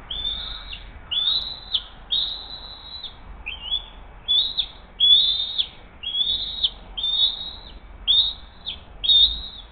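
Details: At the Hays bald eagle nest on a June 2023 morning, the mother brings a fish and feeds her eaglet. A steady string of about ten shrill, whistled chirps, each slurring upward and ending in a quick drop, about one per second.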